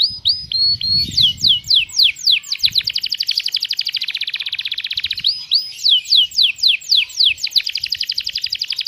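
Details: Canary singing a long master song in the luxurious cengkok style with sharp tembakan bursts. Series of sweeping downslurred whistles give way to a fast buzzy roll of rapid repeated notes, then the sweeping phrases return. A faint low rumble sounds early.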